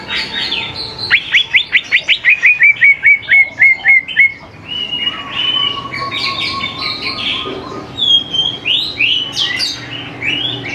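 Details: Greater green leafbird song meant to coax young birds into singing: opens with a fast string of about fifteen sharp descending chips, then shifts into long rich warbling, whistled slides and mimicked-sounding phrases.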